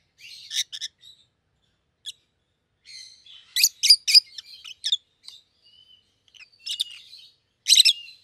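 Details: A pair of rosy-faced lovebirds, one yellow and one green, give sharp, shrill chirps and squeaky chatter in uneven bursts, with several loud clustered shrieks between quieter twittering.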